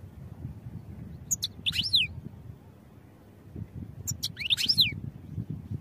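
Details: European goldfinch song for training: two short bursts of high, twittering notes with quick rising and falling sweeps, about three seconds apart, over a low background rumble.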